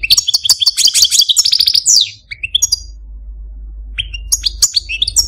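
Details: , a caged pet male, delivers a rapid jumble of high chattering trills for two seconds, then pauses before scattered sharp twittering notes with faint low hum.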